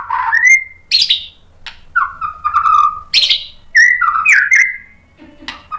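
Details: White-rumped shama singing rich slurred whistles, some rising and some falling, alternating with sharp high chips in short separated phrases; faint low hum underneath.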